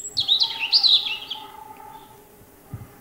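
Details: European robin singing a single sweet, sliding warbled phrase of high whistles and quick trills that fades out, followed by quiet.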